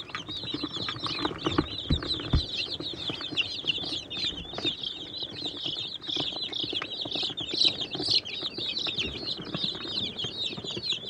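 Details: A brooder full of young chicks of Catskill Homesteader, Swedish Flower Hen and Bielefelder breeds feeding and drinking contentedly, giving a dense, steady chorus of shrill peeps with faint scratching and pecking sounds below.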